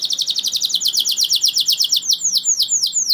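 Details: Canary rolling in song to set other canaries singing: a rapid high trill of buzzy notes that slows into spaced, sharply falling whistles near the end.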